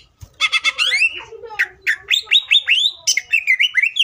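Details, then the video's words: Greater green leafbird in full, aggressive song meant to provoke rival leafbirds into singing: harsh rasping bursts open, followed by a string of loud upward-sweeping whistles and rapid twittering notes. "CUCAK IJO GACOR GANAS BUKA MATERI❗PALING AMPUH BUAT PANCINGAN IJO AGAR CEPAT BUNYI AUTO EMOSI!"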